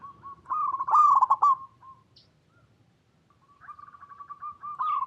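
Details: Zebra dove (perkutut lokal), a lure recording meant to make other perkutut call back. A rapid rolling burst of coos is followed by a single soft coo and a pause, then a steady run of evenly spaced gentle coos.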